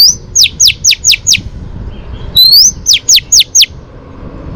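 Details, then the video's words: Female Oriental magpie-robin singing to stimulate males, for training: a rapid series of five bright downslurred notes, a brief pause, then a rising whistle and four more quick falling notes. "chòe than mái HUÝT KÈM THÚC TRỐNG.chòe than mái kích trống căng lửa.chim chích chòe than mái hót"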